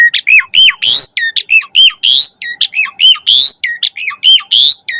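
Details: Asian pied starling singing for training pet starlings: steady series of hooked whistled notes about every half second, interspersed with harsh rising rasps.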